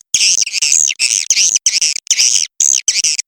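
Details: Swiftlet calls of the red tiger (macan merah) type, said to be proven to draw a response: loud harsh buzzy chirps in bursts of a few tenths of a second, repeated in quick succession with short silent gaps.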